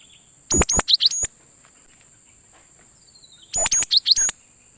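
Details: Cinereous tit sound played as a lure to attract wild birds for trapping: two bursts of sharp, high, clipped chip notes about three seconds apart over a constant thin high whine.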